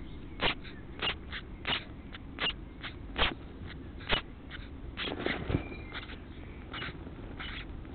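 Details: House sparrow chicks being fed by adults, giving loud, sharp, broadband chirps in short bursts about every half second to one second, some clustered, over a steady low rumbling background.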